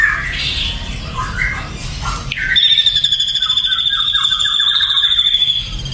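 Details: Ashy drongo singing: clear, sliding whistled notes and short swoops in the first half, then a long, steady, harsh buzzing trill that holds one pitch to the end, over low background rumble.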